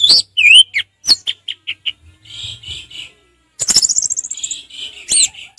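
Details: Orange-headed thrush singing in relaxed ngeplong style: looping whistles and a rapid series of short clipped notes, a soft buzzy trill, then a burst of fast mimicking chatter and sharp high notes.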